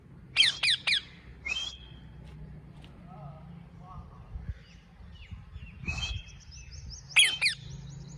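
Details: A tame rose-ringed parakeet, said to talk, lets out a rapid pair of harsh descending screeches, then scattered squawky syllables and a closing screech pair, with faint human voices and low rumble behind.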